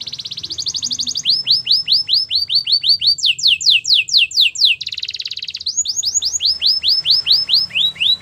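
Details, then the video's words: Long varied Spanish Timbrado canary song: fast trills, rows of hooked whistled notes, steep descending slides, then rolled tours and more hooked notes, all sung without a break. "Spanish timbrado singing"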